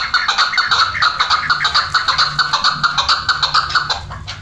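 Chukar partridge giving a steady run of hoarse, clucking chuck notes, about two each second, with little else behind them.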